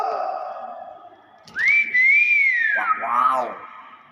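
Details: Talking hill myna producing a loud whistled note that rises and wavers, then drops into a lower, voice-like downward slur, with soft background sound.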